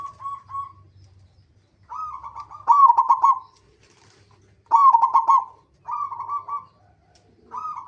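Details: Local zebra dove lure song for prompting other zebra doves to sing: repeated mid-pitched purring coos, each a cluster of rapid stuttering notes, about six phrases separated by short pauses, with a faint low hum.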